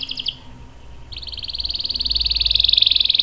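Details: Canary song for training young birds: a few quick notes, a brief pause, then a long fast roll of rapid pulses that grows steadily louder over about two seconds.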